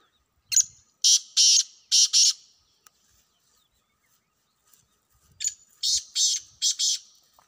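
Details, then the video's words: Two harsh phrases from a wild black francolin, each a short lead note followed by four loud, rasping, buzzy syllables in pairs, separated by a few seconds of quiet. "جنگلی کالے تیتروں کی آوازیں"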